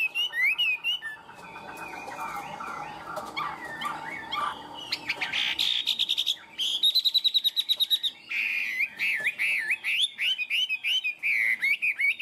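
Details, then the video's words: Captive tame Chinese hwamei in varied song: a soft, jumbled warbling opening, then loud buzzy trills and a string of rapid, rising and falling whistled notes near the end. "Chim họa mi thuần, hót tốt, hót cao cầu"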